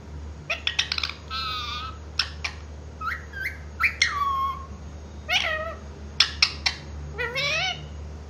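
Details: Pet green parrot said to speak mummy and papa. It makes a busy stream of clicks, short whistles and falling harmonic syllables over a low background hum.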